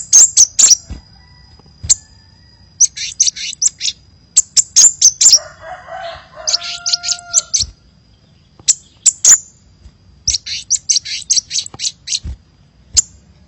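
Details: Hummingbird, a lively lure call, given as rapid bursts of high, sharp chirps and ticks, with pauses between groups and faint lower whistled tones in the middle.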